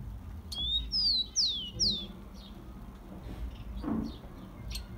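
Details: Rufous-collared sparrow (tico-tico) warm-up song for captive birds: one short rising whistle, then three clear descending slurred whistles, followed by faint high chips and a soft low thump, over quiet background hum.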